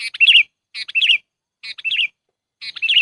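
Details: Sooty-headed bulbul lure call for trapping birds: short bubbly chirping phrases with a wavering whistle, repeated about every 0.8 seconds, clean and without background sounds.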